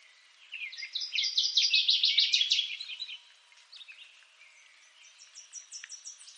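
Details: Northern waterthrush singing: a loud, ringing phrase of rapid repeated chips lasting about two and a half seconds, slightly descending and speeding up. Afterwards, fainter high ticking notes from other birds continue in the background.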